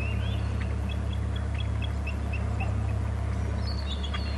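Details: Bald eagle at a nest and territory camera on Hornby Island, loudly calling as it flies off from beside a glass house: a run of short, high piping notes at a steady pace, then a higher squealing burst, over a constant low mechanical hum.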